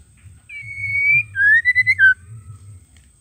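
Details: Female white-rumped shama calling to provoke males into singing: a long, steady, clear whistled note, then a few quick rising slurred whistles and a final lower note, over a faint low hum and a thin steady high tone.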